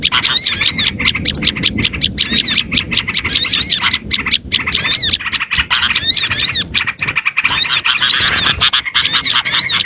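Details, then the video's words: Audio used as bait for small birds, a steady wall of shrill chirps and looping whistled notes from many birds at once, continuous and frantic throughout. "AUDIO SUARA PIKAT BURUNG KECIL PASTI LANGSUNG NEMPEL DAN DI SERBU"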